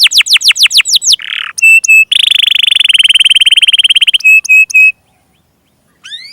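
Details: Domestic canary song played as a lure (pancingan) to prompt stuck or young canaries to sing: rapid descending whistled sweeps, a buzzy note, clipped ringing double notes, a long fast rattling trill, more clipped notes, silence, then rising sweeps.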